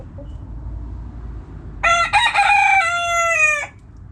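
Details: Backyard rooster crowing: after quiet low rumble, a strong crow of nearly two seconds, stuttered at the start, then a long steady harsh note that tails off.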